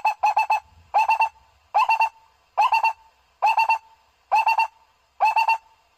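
A barbet repeats quick bursts of four or five hollow, mid-pitched notes, one burst a little under every second, with no other sounds.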